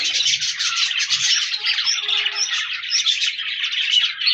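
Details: Several pet budgerigars chattering, recorded 14 January 2024; a thick stream of scratchy warbling and quick chirps, with a brief squawk-like note and faint low bumps early on.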